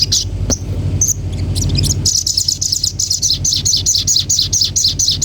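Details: Common iora opening with a few scattered high chirps, then launching into a fast, even, shrill trill of repeated buzzy notes held to the end, with a constant low droning hum behind.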